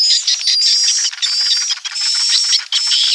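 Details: Swiftlets giving roosting calls: a dense, continuous mass of high, sharp chirps and twitters that overlap with no clear gaps. Thin, steady whistled tones run through it, and the sound breaks off briefly a few times.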